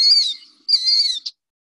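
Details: A Killdeer in the Chicago area, a ground-nester in gravel, gives two shrill, high, slightly falling cries, like a drawn-out 'kill-deer', saying its name, ending with a brief clipped note. No other sounds are heard.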